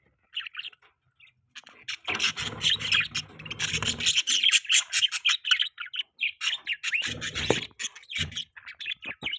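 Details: Morning chirping of pet budgerigars: rapid scratchy chatter and short squawks, with rubbing, scraping noises at times.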